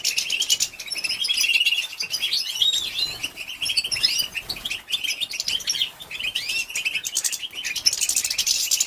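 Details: European goldfinch female calling to arouse males: a long, bubbling run of high chirps and quick slurred twitters, steady and dense, with a slight rise in intensity toward the end.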